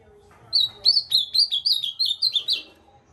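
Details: Ultramarine grosbeak pouring out a brisk two-second phrase of clear downslurred whistles, roughly ten notes in quick succession, with faint low murmur behind.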